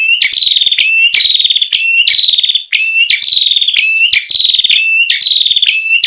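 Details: Ashy tailorbird, local name prenjak kepala merah, recorded as a lure sound. Rapid, loud phrases run almost without pause: a short rising whistle, then a rattling buzzy trill, repeated about every seven-tenths of a second.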